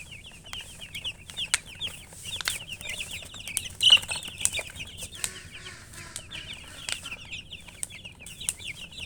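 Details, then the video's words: Several chickens keep up high, thin peeping chirps without pause, with scattered clicks and rustles mixed in. "silly chicken chirping sounds with murgi hen color chicken"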